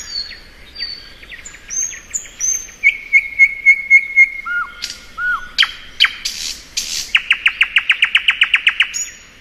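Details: Thrush nightingale in spring song: high slurred whistles, then a steady run of identical piping notes, two low swooping whistles, sharp clicks, and a fast rattling trill of evenly spaced notes.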